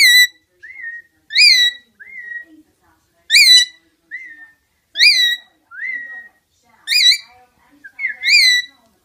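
Rainbow lorikeet giving loud, ringing, upslurred chirps about every one and a half to two seconds, alternating with softer, thinner whistled notes, in a quiet room.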